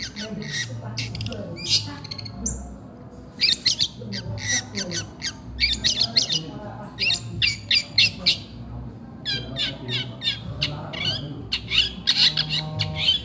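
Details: Long-tailed shrike singing even while eating: a busy run of harsh, scratchy squawks and chattering notes in uneven bursts, some high and thin, some rasping, with faint room noise beneath.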